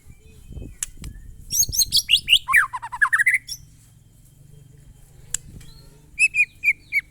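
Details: White-rumped shama, known locally as murai batu, singing glondong-type monotonous song: a burst of high chips sweeping down and back up, then quiet, then a short row of evenly spaced whistled notes, over low rumbling background noise.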